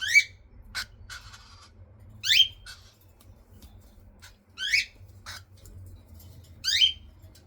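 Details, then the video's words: Baby cockatiels being fed, calling about every two seconds. Each call is a loud, squawking, up-and-down sweep, and softer chirps fall in between. The room is otherwise quiet. "baby cockatiel feeding time"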